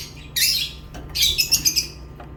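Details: A lovebird gives a harsh high squawk, then a rapid chattering series of five or six shrill chirps.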